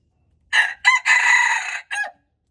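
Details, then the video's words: Red junglefowl crowing on February 13, 2025: a single clear four-part crow with a short first note, a quick second note, a long steady hoarse stretch, then a clipped ending, with almost no background noise. "red jungle fowl"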